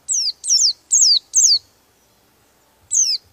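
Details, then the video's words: Oriental white-eye singing a rolling song meant to rile rival birds; four loud, high whistles each sliding steeply downward, evenly spaced, then a pause and a fifth note. "suara pleci buka paruh dan Ngeroll bikin emosi burung lawan"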